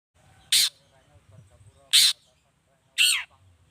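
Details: Long-tailed shrike calling energetically, used to provoke other shrikes into answering; three loud, harsh, noisy bursts about a second apart over a faint low hum.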